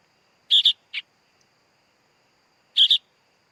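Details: Sooty-headed bulbul chick making a buzzy paired rasp and one short harsh note, then another paired rasp about two seconds later.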